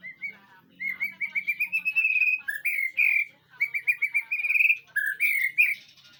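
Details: White-rumped shama singing in a training recording meant to prompt a reply: fast runs of bright, repeated whistled notes that rise slightly in pitch, broken by brief pauses and a few lower slurred notes.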